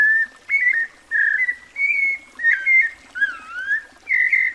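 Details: White-necked Thrush sings clear whistled phrases, several level and sustained, others rising or wavering, with gaps between; another bird gives a faint descending slurred whistle in the background midway.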